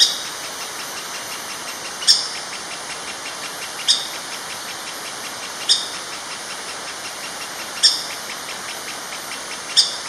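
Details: A young female orange-backed woodpecker, one of a family of four, gives sharp, high single call notes about every two seconds over a hissing insect drone, on a primary jungle trail in Kledang-Sayong Forest Reserve, Ipoh, Malaysia, on 24 December 2016.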